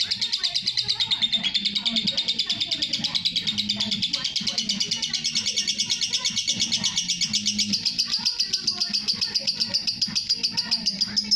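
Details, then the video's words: Lovebird giving a long ngekek chatter, recorded as masteran training material: a fast, high, buzzy stream of pulsed notes running unbroken for eleven seconds, slightly rising near the end, over a soft low murmur. "love bird masteran ngekek panjang"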